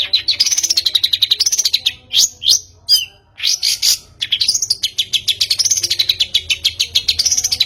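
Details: Long-tailed shrike used as a lure to get caged birds singing: fast, rhythmic runs of high chattering notes that rise and fall in arcs, broken midway by a few sharp whistled slurs, then rapid chatter again.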